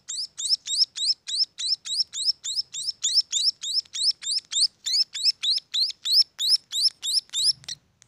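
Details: Young munias give loud, evenly paced high chirps, roughly three each second. Every note is a quick rising squeak with bright upper overtones, repeated without pause until a brief low thud near the end.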